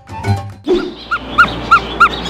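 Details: A young Coppersmith barbet released in an aviary gives a hollow, metallic tuk note, likened to a smith's hammer on metal and said to be called with the bill closed, repeated about three times a second after a brief musical passage.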